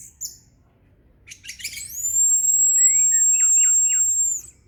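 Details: Orange-headed thrush: a burst of rapid scratchy chirps leading into a long, pure, level whistle of over two seconds, with short falling notes sounding alongside it.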